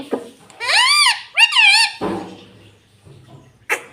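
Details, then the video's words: ['A talking pet parrot utters two strong, arched harmonic phrases in quick succession. A lower, rougher sound follows, then a short sharp call at the end, indoors.'] "Mummy bolne wala tota - Talking Parrot"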